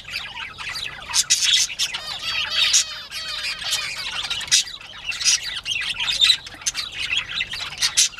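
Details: Bobwhite quail playtime recorded mid-morning, 19 April 2017: thick overlapping chirps, squeaks and short harsh squawks from a group of birds, in uneven bursts throughout.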